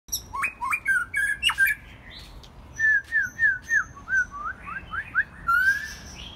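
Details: Captive White-rumped shama in its first molt, singing on a quiet evening: rich, varied whistles, a quick burst of rising notes, then about eight clear down-slurred whistles at two per second, ending on a rising note.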